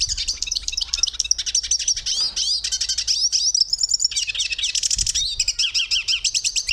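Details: Dense, high-pitched song of a hooded siskin: chattering twitters and buzzy trills shift rapidly, ending in repeated zigzag whistled phrases, against a quiet background.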